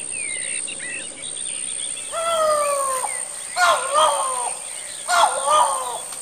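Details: A wild Great argus, a rare, protected bird, recorded in forest, gives loud, mournful whistled calls, each note starting sharply and then holding steady.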